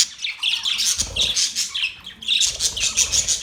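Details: Australian parrots, October 10, 2023: bursts of shrill, scratchy squawks and chirps that pause briefly near the middle, then resume in quick repeated pulses with faint low rustling.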